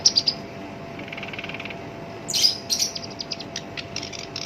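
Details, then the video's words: Black-browed reed warbler, a captive songbird with a harsh voice used as a tutor for other birds: a few sharp high notes, a soft buzzy passage, then a loud rasping burst followed by scattered scratchy chips. "SINCHAN (KERAK BASI ALIS HITAM) GACOR POL, SUARA KASAR COCOK BUAT PANCINGAN GACOR LANGSUNG NYAMBER"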